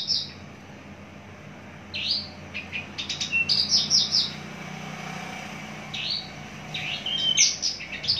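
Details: Captive mature Javan bush lark giving scattered high chirps and quick slurred notes with gaps between phrases, over a constant low hum and faint passing vehicle noise.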